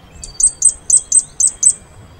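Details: A Fire-breasted Flowerpecker of the Taiwan subspecies (Dicaeum ignipectum formosum) gives six very high, thin, sharp ticking notes in quick loose pairs over about a second and a half, against a quiet background.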